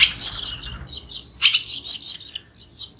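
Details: Barn swallows at feeding time give a busy, high twittering of squeaky chirps and rasping notes in quick, irregular bursts, with no other clear sounds.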